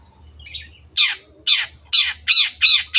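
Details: Long-tailed shrike (cendet) repeating loud, grating, rasping notes about three times per second after a faint soft twitter. The sound is crisp, with no other noise.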